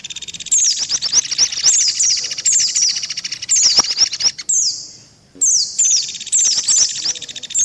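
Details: Indian white-eye lure mix, combined with mantenan and pelatuk beras calls: fast buzzy rattling trill under repeated thin, falling chirps, a short break, then the chirping and rattle resume.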